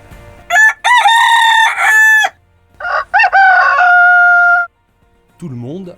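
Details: Rooster crow, a French national symbol called 'cocorico' in French and used as a cry of victory. Two loud, drawn-out, harmonic crowing phrases, the second ending in a long held tone, followed by a short burst of music.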